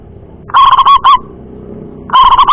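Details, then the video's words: Local zebra dove (perkutut) with a loud, far-carrying voice, used as a lure to get other doves singing: a loud, rolling, staccato coo phrase, a short repeat, then another burst after a quiet pause with a faint background hum. "Perkutut Lokal Suara Lantang Mampu Jarak Jauh"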